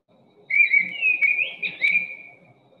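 A Mistle Thrush sings one loud, whistled phrase lasting about two seconds. It stays close to the same pitch, with little rise or fall. A faint low hum sits underneath.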